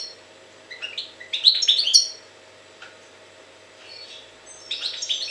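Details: Goldfinch song recorded in Jagodina: quick liquid twitters and short trills in a central burst, then a softer phrase, over a low constant hum.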